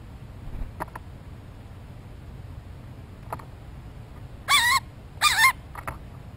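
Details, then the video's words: A blue jay very close to the microphone, looking for a peanut after its morning feeding, gives two loud, harsh, nasal attention-getting jeers about a second apart, with faint clicks and a low background rumble. "Blue Jay Calls"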